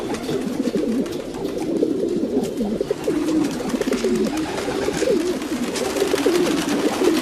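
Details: Domestic pigeons giving low, rolling coos, several distinct coos rising then falling, layered over a constant background murmur of other pigeons, with light clicks and scuffling.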